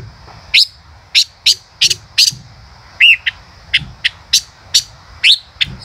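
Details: Male chim ngũ sắc (five-coloured bird) singing in the 'chế cựa hai' style: a series of sharp, high chips about every half second, with one lower, curved whistled note near the middle, over a faint low hum.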